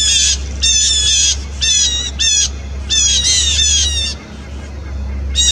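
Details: Several Blue Jays give harsh, nasal jay calls in quick overlapping bursts over a low steady hum while mobbing an Eastern screech owl, the third harassment in 20 minutes, 3 January 2018.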